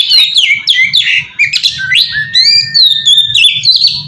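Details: Lure song of an oriental magpie-robin meant to attract others: continuous loud whistled phrases, buzzy squawks and long level whistles mixed with quick chirps, barely pausing.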